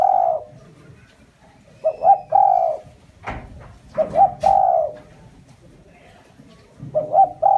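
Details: Lure call of a spotted dove: short paired hoots followed by a long, mellow, sustained coo, the phrase repeated three times with pauses of about two seconds, a brief clatter between phrases.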